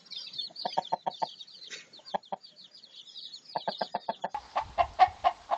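A hen clucks in quick runs of short, hollow notes, with small birds chirping high in the background.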